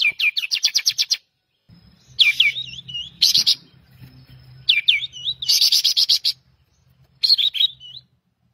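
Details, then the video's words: A pied triller sings bursts of rapid, high, ringing trills and sharp chattering notes, each burst lasting about a second and separated by short pauses, used as a training song for songbirds; a faint low hum beneath. "suara burung kapas tembak gacor"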